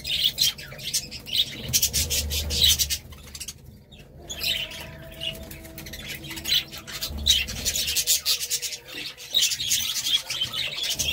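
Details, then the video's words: Budgerigar chatter aimed at lonely budgies: raspy, grating warbles and clicks in irregular bursts, one short silent gap near the middle, then more scratchy chattering, low hum in places. "Budgie Sounds"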